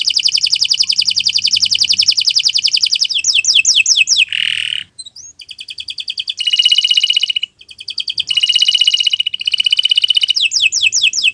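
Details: Canary, long continuous song used as a tutor for other birds: high, rapid trills and buzzy rattles in shifting tempos, broken by a brief harsh buzz and short pauses, very clean and loud.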